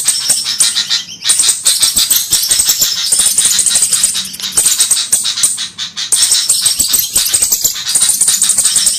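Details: Flowerpeckers give dense, very high, thin ticking and sharp whistled notes in rapid overlapping bursts, like several birds chattering together; a luring call for Javan flowerpeckers.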